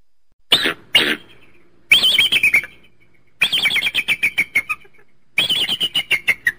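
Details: Eagle giving two sharp opening yelps, then several long runs of rapid high piping notes that gradually fall in pitch and slow down, repeated in quick succession.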